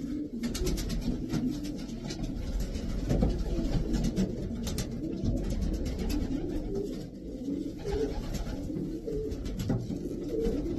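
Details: Low, rolling coos from racing pigeons, several birds calling at once in a dense murmur, a few brighter rising notes standing out, with light tapping sounds.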